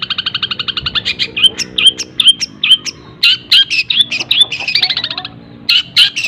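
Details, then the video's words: Long-tailed shrike performing imitated kingfisher and sparrow fills, recorded to teach other birds: a fast chattering run, then spaced whistled slurs and harsh bursts, with a quick trill near the end. "CENDET ISIAN TENGKEK BUTO SPEED RAPAT SAMBUNG GREJA SAMBUNG KUNTI"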